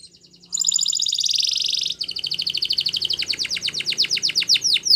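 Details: Spanish Timbrado canary singing a training song: soft notes, then a loud dense buzzing trill, followed by a long run of quick clipped notes that gradually slows, with faint low background hum.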